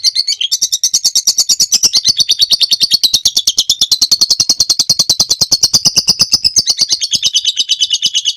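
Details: Lovebird in extended ngekek trill, a master recording for training birds: an unbroken run of rapid, harsh chattering pulses, pitch drifting gently higher and lower over eight seconds.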